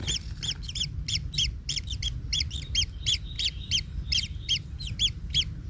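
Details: Nest-bound kingfisher chick in pain from being trampled by a parent: rapid harsh arched cries, about three a second, with faint overlapping notes and low rumbling behind.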